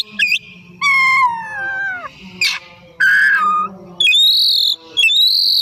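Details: Oriental magpie-robin, a kept songbird in full song in the afternoon, used as a lure recording to prompt other birds to sing: loud clear whistled phrases, some sliding downward, others high and buzzy, separated by short pauses, over a low steady hum.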